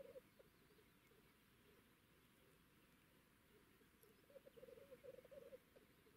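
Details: Black grouse feeding in a clearing near cranes outside the spring lek, Moscow region; males fan tails and murmur, courting ignoring females: soft, low, rolling bubbling phrases, a brief burst then a longer dove-like warble, over hiss.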